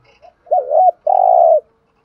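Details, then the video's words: Spotted dove used as a caged decoy for wild doves, calling one loud phrase: a quick wavering, bouncing coo, then a long, even, hollow coo that fades out. "Tiếng chim cu gáy kích bổi nhanh nổi rất nhanh nổi/ chim cu gáy mồi chai thúc gù bài bản giọng hay"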